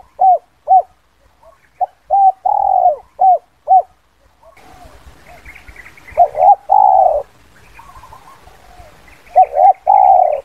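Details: A spotted dove gives a "kuk 2" lure call, used to attract wild doves: soft, mellow coos, a few short notes ending in a longer rolling coo, repeated several times, with faint chirps and a low hiss behind.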